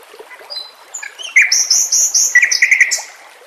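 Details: White-rumped shama singing on a training track for young contest birds, backed by water sounds: faint thin whistles build into a loud, fast mix of high sweet notes and lower rolling chatter.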